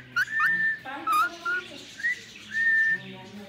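An Indian ringneck parakeet gives a run of clear, pure whistles, some long and level, others short and rising, over a low room hum.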